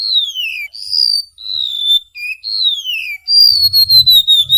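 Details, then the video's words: Golden-bellied gerygone tutor song for cage birds: falling whistled slurs and level notes in a clear, sweet series, then a faster run of short high whistles over soft low thumping. "Suara Burung Remetuk Laut Gacor | Masteran Ngerol Durasi Panjang"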